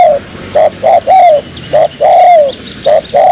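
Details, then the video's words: Trapping lure of a spotted dove: clipped coos alternating with long drawn, slightly falling coos, repeated rapidly, faint high bird notes in the background. "Inilah Suara Burung Tekukur Merdu paling di cari buat pancingan || Suara tekukur buat pikat"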